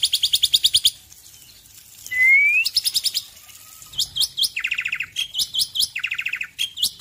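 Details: Male Black-winged myna from Indonesia in morning song: fast rattling trills, a rising whistled slur, then varied rapid trilled phrases alternating between lower and higher pitches, very lively and continuous.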